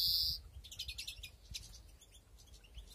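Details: Greenfinches breeding in an aviary during 2021 give a short harsh wheeze at the start. Soft, fast twittering chirps follow and fade toward the end.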